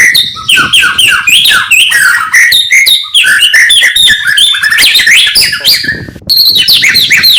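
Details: Oriental magpie-robin (murai batu) in morning song, intended to rouse rival birds: energetic run of sharp descending whistles and chips in rapid sequence, a short break near six seconds, then more high notes.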